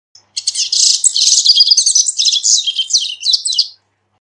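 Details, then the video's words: Loud, unbroken three-second phrase of corbatita song for teaching and calling birds: dense buzzy trills and rattling chirps at high pitch, easing into separate sliding notes at the close. "CORBATITA CANTANDO - MEDIA HORA DE CANTO DE CORBATITA"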